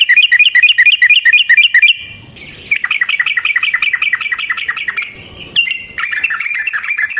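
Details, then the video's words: Long rolling fight song of yellow-vented bulbul played to make other bulbuls respond: loud quick looping chirps, then a sustained fast chatter of repeated notes, ending in a fresh burst of bright phrases. "Suara Burung Trucukan GACOR ROPEL Panjang Ampuh Untuk PANCINGAN TRUCUK"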